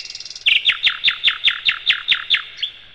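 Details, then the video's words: Loud song of a nightingale (sikatan londo), recorded as a master for teaching other cage birds. A fast high flutter opens into about ten strong, evenly spaced downward-slurred notes, roughly three per second, ending with a faint last note. "Materan Burung Sikatan Londo"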